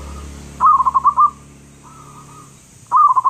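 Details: Big-voiced local zebra dove: a loud phrase of about six quick, bubbling cooed notes, then a softer, longer coo, then the stuttering phrase begins again.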